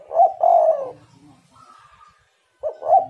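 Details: Spotted dove used as a lure to get other doves calling. A throaty coo ends a phrase, then after a quiet gap of faint thin sounds a new stuttered coo phrase begins.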